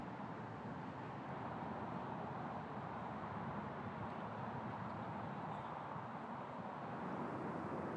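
Steady broadband rumble of passing vehicles and road traffic, with no animal calls audible.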